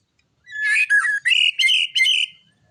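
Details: White-rumped shama song: a loud, rich run of five closely spaced whistled and buzzy phrases, bright and high, in about two seconds against a quiet background.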